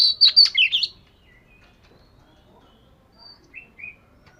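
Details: Oriental magpie-robin of the fish-scale type practising song: a loud burst of tangled whistles and twangy slurs, then near silence broken by a few soft, short whistled notes.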